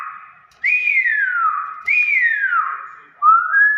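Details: Common hill myna calling with two long whistles, each jumping up then gliding smoothly downward, about a second apart, followed by a lower rising note; quiet room with a voice just before.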